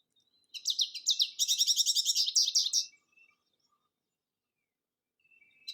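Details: American Goldfinch song played from a reference recording: a quick, run-on burst of high, sweet twittering and warbled notes lasting about two and a half seconds, followed by near silence with a faint note at the end.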